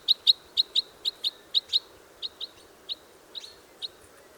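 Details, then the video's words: Red Crossbill (Common Crossbill) in the wild giving a rapid run of about eight crisp, high chip notes, then slower, softer chips spaced farther apart, over quiet background hiss. "Red Crossbill Sound – Song & Bird Calls"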